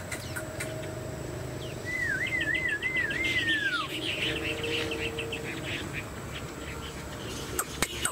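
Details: Chinese hwamei, a cage bird shown with fanned tail and tall stance, giving a single clear wavering whistle that rolls up and down several times before sliding downward, over faint distant chatter and background hiss.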